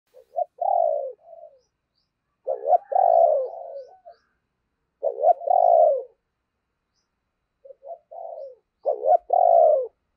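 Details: Decoy spotted dove cooing to lure wild doves: four low, hoarse coo phrases, each a short lead-in note followed by a longer drawn-out coo, spaced about two to three seconds apart. The background is silent.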